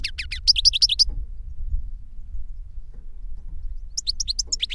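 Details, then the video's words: Caged European goldfinch singing 'reclamo', a master bird whose song was copied by a young novice; about a second of fast, bright twittering, a pause of nearly three seconds, then a new twittering phrase begins, over low background rumble. "Jilguero maestro cantando reclamo y enseñando a otro jilguero novel"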